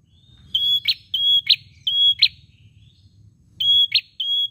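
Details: Ashy tailorbird song of repeated high whistled notes each ending in an abrupt buzzy snap, three in a row, a pause, then two more; low-pitched background rumble throughout.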